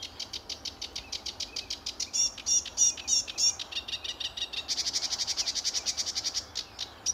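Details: Sedge warbler song from an early morning summer visit to RSPB Fowlmere, July 2013: jerky chattering phrases, then a long, fast, even rattle of repeated buzzy notes.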